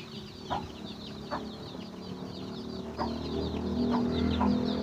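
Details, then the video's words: Chicken finding food for its young: continuous high descending peeps over a low humming background that grows louder, with a few brief clucks spaced about a second apart. "Chicken find a food for their baby"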